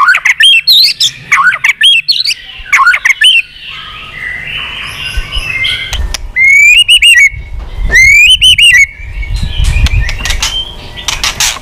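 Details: Fired-up wild-caught white-rumped shama showing off many voices in duel singing. Clusters of high chattering whistles are followed by long clear rising notes, repeated twice, with thumping and rustling below.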